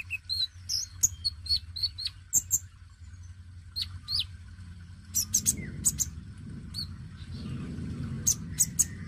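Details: Oriental magpie-robin, dacok type, singing to coax newly caught birds into song. Quick repeated whistled chirps at the start, then sparser scratchy bursts and a falling slide, while a rumbling low noise rises in the background.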